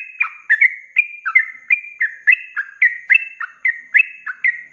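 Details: Energetic sooty-headed bulbul giving ropelan song, a rapid flowing style used for tutoring caged birds: clear whistled notes alternating higher and lower, many sliding downward, in brisk irregular succession.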